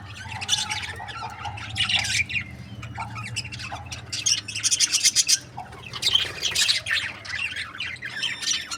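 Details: Budgies kept as breeding pairs produce continuous busy chatter: fast scratchy twitters, buzzy warbles and sharp chirps overlapping, with a low steady hum underneath.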